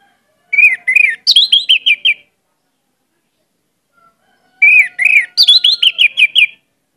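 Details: Two matching bursts of energetic Orange-headed thrush lure song, each a pair of looping whistles then a high rising note and a quick series of descending whistled notes, with a soft steady low tone in the pauses.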